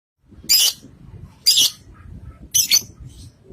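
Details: Lovebird giving three loud, harsh squawks about one second apart, each a short burst with quiet low rumble between.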